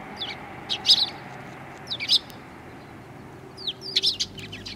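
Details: Gathered sparrows, including one with an injured leg, greeting the recordist on an outbound walk, 7 April 2020; a few quick clusters of sharp high chirps separated by pauses, faint hum underneath.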